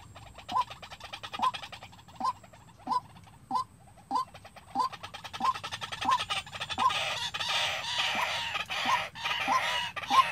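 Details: White-breasted waterhen decoy practising calling on its own for trapping: evenly spaced short notes about every 0.7 seconds. Ticking clicks run throughout, and loud broadband hiss builds in the later half.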